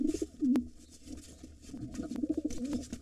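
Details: Wild pigeons at a nest holding two nestlings, where a gray intruder fights the white father: low, warbling coos near the bottom of the range, one loud burst early on, with sharp wing or scuffle clicks throughout.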